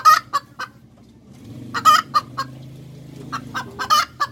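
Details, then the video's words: Hen cackling: a burst of loud, harsh clucks, then a pause with a low hum, then another tight cluster of clucks followed by scattered single clucks. "Tiếng Gà Mái Chuẩn - Chicken Crows 100% , Hens Crowing"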